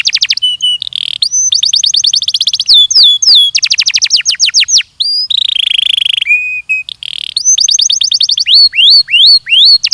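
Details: Belgian canary singing a training song: loud, continuous high trills of rapid descending notes, alternating with fast repeated chips, buzzy rolled phrases and brief whistled tones, all packed tightly with almost no pauses.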